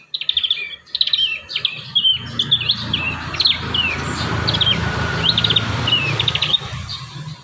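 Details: Prinia song used as a lure for young birds: a string of short, sharp high chirps and downslurred notes repeated steadily over a loud low rumbling background.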